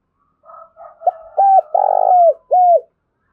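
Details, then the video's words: Spotted dove cooing meant to stir wild doves into calling: soft introductory notes lead to clipped mellow coos and one longer vibrating coo, closing on a final short coo, clear and close. "tiếng cu gáy thúc bổi"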